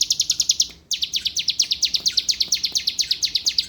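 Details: Rapid high-pitched song of a bar-winged prinia from Palembang, owned by a contest judge: quick sharp notes in a steady stream with a brief break near the start, each note dropping slightly in pitch.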